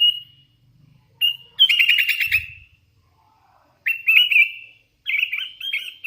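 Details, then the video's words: Hand-raised sooty-headed bulbul in full, chatty song: bright whistled phrases, some short and some drawn into rippling trills, separated by pauses of about a second, with a faint low rumble underneath. "Suara ASLI kutilang LOLOHAN GACOR"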